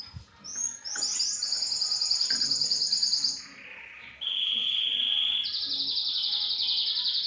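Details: Young African yellow canary crossed with canary, a mule hybrid, singing high bright twittering phrases: rapid buzzy trills and chirps, then a long sustained high rattling trill after a short pause.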